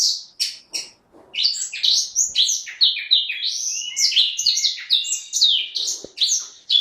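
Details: Loud, fluent song of a caged orange-headed thrush, a few separate high notes opening into a long, nearly unbroken stream of rapid, varied whistles and warbles.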